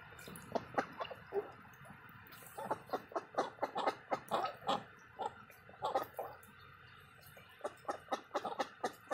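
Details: Indian Runner ducks active in the morning, giving a run of short, rough, nasal calls in quick uneven bursts. Some calls overlap, with brief pauses between the groups.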